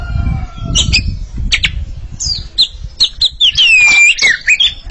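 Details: Oriental magpie-robin pair in a singing contest: scratchy squawks and chattering bursts lead into a long, smooth whistled dip and rising phrases, with low background rumble early on.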